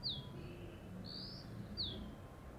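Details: Dark-grey bush chat perched on a deodar twig, Jabbarkhet sanctuary, western Himalaya: three loud high notes, a falling slur, a drawn-out whistle and another falling slur, within under three seconds.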